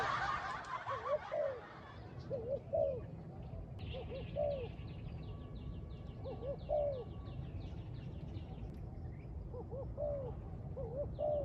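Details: Spotted dove calling near a trap, repeating groups of two or three soft, hoarse coos every couple of seconds. A constant high chatter from other birds runs through the background, and a noisy rustle comes at the start.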